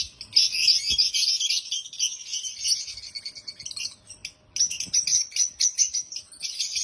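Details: Several African lovebirds chirp loudly and happily in a near-continuous shrill chatter of high tweets, with one brief lull before the busy chirping resumes.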